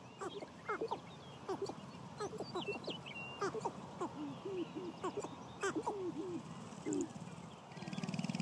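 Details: Sharp-tailed grouse at a spring lek on a ranch in Idaho, males competing for hens: several birds give quick, hollow, low hoots and clucks that overlap in a busy chatter. A rumble of wind closes the clip.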